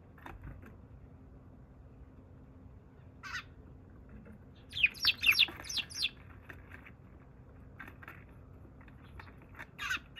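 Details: Wild sparrow visiting on 28 February before flying away: scattered short chirps, then a quick cluster of loud sharp cheeps in the middle, with more chirps near the end over quiet background.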